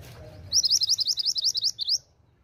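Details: A female pied bushchat calls to draw a response from males, giving a quick run of about a dozen high, sharp chipping notes, roughly eight a second, over a faint low background hum.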